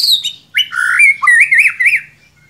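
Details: White-rumped shama song used as a lure for a young bird: a falling whistled note, then a loud, rich phrase of wavering, looping whistles, ending abruptly.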